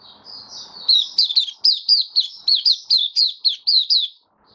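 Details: Caged white-eye, recorded on 18 May 2022 after regular deworming treatment, opens with a faint sustained note, then bursts into a brisk series of high warbled down-slurred phrases, roughly four per second, stopping abruptly.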